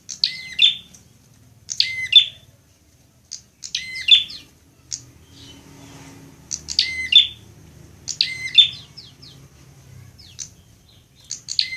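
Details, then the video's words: Prinia song used to train a bird to sing quickly, associated with fighting prinias: clusters of sharp high chirps ending in a ringing note, repeated about every one to two seconds with brief pauses and faint background rumble. "masteran prenjak agar cepat gacor"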